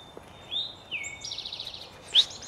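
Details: A tame black-capped chickadee that approaches people on walks gives high thin notes, then a quick run of buzzy 'dee' notes and a sharp final chip, over a steady faint whine.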